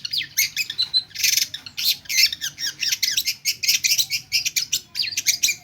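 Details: Long-tailed shrike pouring out a fast stream of mimicked phrases: rapid scratchy chatter, squeaks and twittering notes repeated in quick rhythmic bursts.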